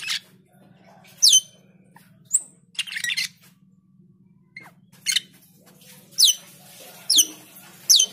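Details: Asian pied starling in full voice, used to prompt other birds to sing: sharp, harsh bursts and descending whistled strokes repeated at irregular intervals of about a second, over a steady low electrical hum.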